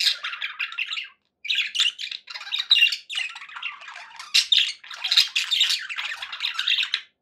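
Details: Pet budgerigars chattering happily: dense bursts of warbling, scratchy chirps and squawks, high and busy, running almost without pause apart from a short gap after the first second.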